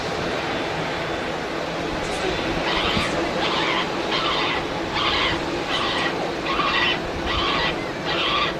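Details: Recorded Black-headed Gull distress calls played back at Manchester Airport, UK, during a heatwave, to draw birds in before dispersing them with a bird-scare cartridge: harsh, scratchy screeches about once a second over engine and airport rumble.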